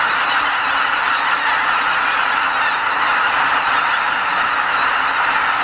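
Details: Around 80,000 greater white-fronted geese flying out at dawn from Lake Miyajimanuma wetland in Hokkaido to feed in surrounding fields during spring migration; a thick, continuous din of yelping honks from the whole flock.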